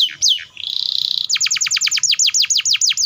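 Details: Canary performing a fast roll that provokes young and stuck-singing canaries to join in: two sweeping whistles, a sustained buzzy note, then rapid evenly spaced falling whistles about five per second.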